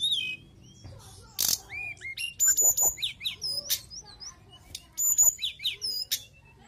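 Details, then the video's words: Mountain tailorbird in lively song, high thin whistles rising and falling, mixed with quick chirped phrases and sharp clicks, delivered in bursts separated by short pauses. "TLEDEKAN GUNUNG GACOR"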